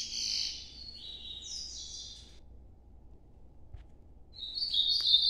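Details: Softer Nordeste-style song of an Ultramarine grosbeak: a short run of slurred whistles, a long pause, then a new phrase starting with a high sliding note, over a low background hum.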